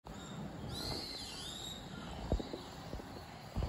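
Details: Common kingfisher on the Zenpukuji River, recorded on a smartphone with a telephoto lens: one thin, high whistled note rising then falling, lasting under a second, over steady background hiss and a few low thumps.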